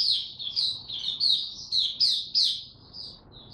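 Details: Caged Oriental white-eye being brought into form, a quick string of high, thin downward-slurred whistles that fade toward the end, with faint low background hum.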